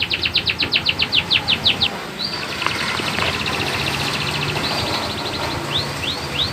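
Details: Lively tutor song of a canary: about a dozen rhythmic, evenly spaced notes over two seconds, then a dense rolling trill and a few final swept whistles.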